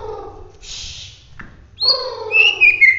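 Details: White-rumped shama of the Bahorok type from Medan, singing hard in the 'roll tembak' style: after a hiss and a click, a loud burst of bright whistled notes, some sliding down, over a low background hum.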